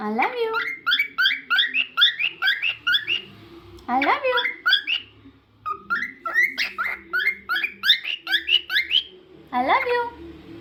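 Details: Cockatiel kept as a pet sings rapid series of bright chirped notes, several per second, broken by short swooping upward calls, with a quiet low drone behind.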